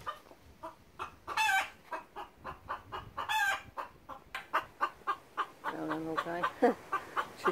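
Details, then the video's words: Garden rescue hen giving a hawk alarm: a long run of sharp, evenly spaced clucks about twice a second, with louder harsh squawks near the start and a brief tonal cackle toward the end. "hawk alarm"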